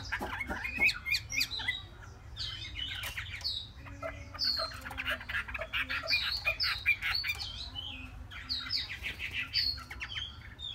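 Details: A three-month-old Chinese hwamei sings a long, rich sequence of high sweeping whistles, quick chips and rolling trills, barely pausing, with a low background hum.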